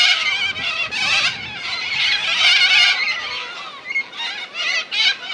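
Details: Flock of corellas calling at Minkies Lagoon, Coopers Creek, near Innamincka in South Australia; grating, raucous screeches pile up into a steady din, thinning toward the end into separate harsh bursts.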